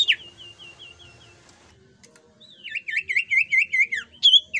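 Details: Jungle flycatcher lure song meant to set other birds singing: a soft even trill fading out, then a loud run of looping whistled notes and a bright high note at the close.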